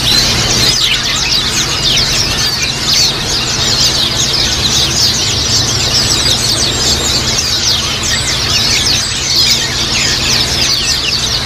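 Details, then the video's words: Many Japanese white-eyes kept together, a recording meant to spur pet white-eyes into quick chattering song; unbroken high-pitched twittering from numerous overlapping birds, with faint low hum throughout. "terapi pleci ombyokan agar cepat ngiriwik | suara burung"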